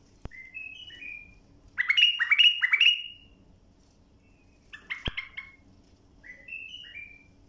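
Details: Bulbul song used to train young birds: soft downslurred whistles lead into three loud, rising, fluty phrases in quick succession, then quieter whistled notes after a pause.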